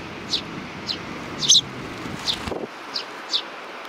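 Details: Young hand-tame sparrows, recorded 28 June 2019, utter brief high chirps roughly every half second. A louder chirp and a short burst of noise break in midway, with faint rustling and background rumble.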